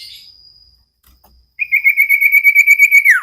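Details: Common iora, a cage bird, singing for a training recording: a rapid, even buzzy trill held at one pitch for about one and a half seconds, ending in a quick downward slur, after a short faint chirp.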